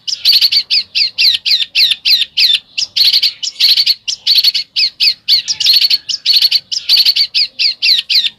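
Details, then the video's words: Bird singing in the Indonesian besetan style: sharp, high whistled notes repeated in fast, even bursts of about three per second, each one a quick falling-rising stroke. The clip holds steady, unbroken phrases throughout with no other clear sounds. "SUARA BURUNG BESETAN"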